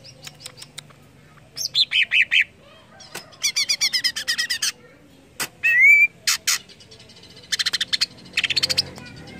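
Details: Greater green leafbird song for stimulating other leafbirds to sing: series of sharp clicks, buzzy trilled bursts, rapid chattering runs and a single rising whistle, in lively varied sequence.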